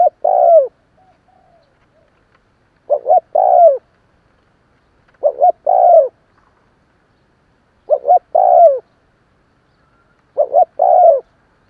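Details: Spotted dove calling steadily to stimulate a decoy: five phrases, each two short notes then a falling coo, spaced about every two and a half seconds with quiet gaps.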